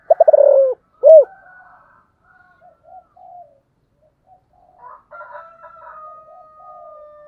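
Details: Spotted dove cooing: a quick run of throbbing low notes followed by a single strong hollow coo, then faint softer murmurs and a thin steady tone in the background.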